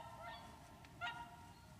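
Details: Lac du Der in Champagne, France, January 2014: a wintering whooper swan gives a brief faint note, then one clear nasal honk, with steady low background noise.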